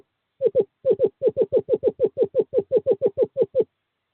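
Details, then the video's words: Male eastern screech owl calling a female to a nest box in courting season, 11 February 2023; a steady run of about eighteen short, hollow, tremulous hoots at an even pace, like a soft bouncing trill, in otherwise silent surroundings. "Male screech owl calls female to owl box 5"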